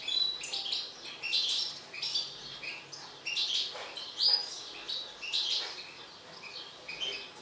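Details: Agitated mutant European goldfinch twittering: rapid jangling chirps and buzzy notes in uneven bursts, moderately loud, a soft background hiss behind.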